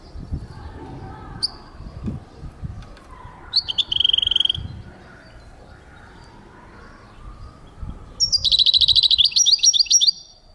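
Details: European goldfinch singing, recorded in 2023: two bursts of rapid, bright twittering notes, the first short and the second a longer fast jangling series lasting about two seconds, over faint low background rumble.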